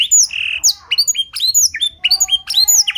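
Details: Canary singing learned Blackthroat-style material, used to train and stir other canaries: a clear, varied run of sharp chirps, one long steady whistle, then quick upward and downward slurred notes.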